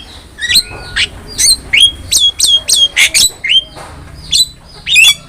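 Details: Energetic Javan myna song for training other songbirds: a steady string of bright, squeaky whistles and harsh downslurred notes, several per second, in short clustered bursts.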